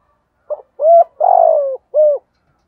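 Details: Spotted dove giving a 'giọng thổ' style call, a lure to attract wild doves. One phrase of four low hooting coos: a brief opening note, a steady coo, a longer rough-textured coo sliding down, then a clean closing coo.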